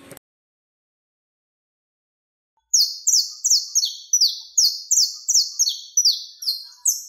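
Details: Saffron finch contest song used to train birds to sing like champions: series of buzzy, high, downward-sliding phrases repeated about every third of a second after a silent start.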